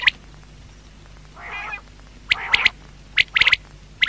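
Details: Quail at night: bright, abrupt high notes in tight clusters of two to four, mixed with a couple of softer, buzzy, lower calls, over a faint steady hum.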